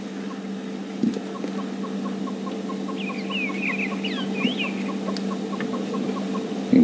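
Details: A hornbill calls in the background during a June 7 morning safari drive: a long run of soft, evenly spaced clucking notes, about four a second, over a low engine hum, with brief squeaky twitters from another bird.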